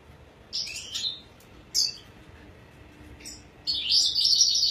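A red siskin gives short, high, buzzy twittering notes in scattered bursts, ending in a longer jangling twitter.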